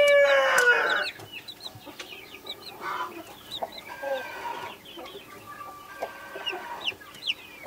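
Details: One loud, harsh call opens, followed by scattered thin, high, rising peeps from baby chicks of Brahma, Australorp and Sussex breeds gathered with their naked neck mother hen.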